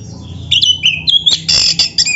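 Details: Oriental magpie-robin of the black-breasted form, a master recording for training caged birds; a long sliding whistle that dips and rises, followed by harsh rasping bursts repeated in quick succession.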